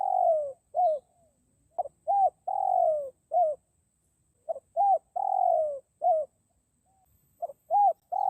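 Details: Spotted dove cooing, used as a lure for wild forest doves: three phrases of clipped notes leading into an arched coo and a long sliding-down coo, separated by short silences.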